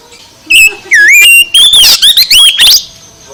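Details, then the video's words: Oriental magpie-robin singing at high volume, meant to stir a lazy bird into full song: short bright whistles, then a falling-rising slurred note and a run of loud, varied warbling phrases over about two seconds. "Kicau KACER VOLUME SUPER ++ menggugah KACER LELET jadi GACOR"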